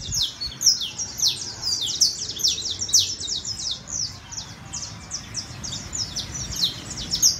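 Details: Saffron finch, known locally as canario criollo, in a long, rapid song of high, sharp chirps and trills, each note sweeping downward, given in quick bursts with little pause, over a faint background hiss.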